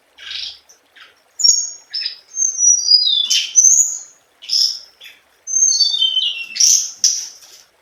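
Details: Scarlet minivet (hồng hạnh) singing a standard song: bright high whistled notes and descending slurred phrases, interspersed with short buzzy chips, delivered in quick bursts over several seconds with no background noise.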